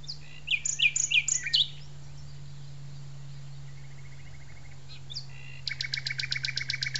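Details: Common nightingale singing at an arboretum: a quick burst of varied whistled and chirping phrases, a soft low rattle, then a fast run of about a dozen sharp repeated notes. A steady low hum runs underneath throughout.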